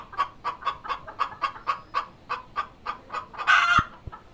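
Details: Hen calling as she lays an egg, steady run of short clucks about four a second, ending in a loud, harsh stretched squawk.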